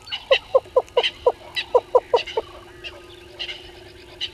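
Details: Yellow-billed Hornbill at dawn, 05:44, at Gowrie dam waterhole, Djuma Game Reserve, Sabi Sand Wildtuin, South Africa; a run of about ten hollow clucking notes in quick steady succession, then fading, with other birds calling higher behind.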